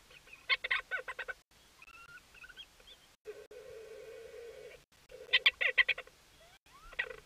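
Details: At night on 24 May 2019, a Leach's storm petrel (Hydrobates leucorhous) in a cahow nesting burrow, vocal while an adult cahow feeds its chick, gives staccato chattering bursts, then a low buzzing purr of about 1.5 seconds, before the chatter resumes.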